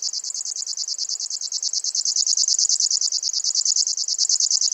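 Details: Grasshopper warbler, genus Locustella, singing its monotonous high reel, a rapid run of even clicks or pulses near eleven a second, growing slightly louder midway, in a quiet setting.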